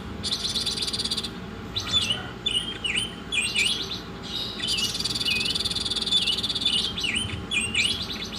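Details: An Oriental magpie-robin sings a masteran song: a buzzing rattle, then a run of down-and-up whistled notes broken by clicks, and a second long buzzing trill laced with clear whistles.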